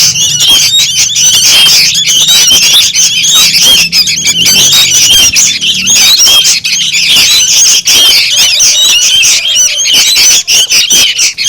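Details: Sooty-headed bulbul young calling noisily, used as a luring sound to draw in birds: an unbroken, crowded chorus of shrill, squeaky chatter and harsh notes from many birds, steady in loudness throughout.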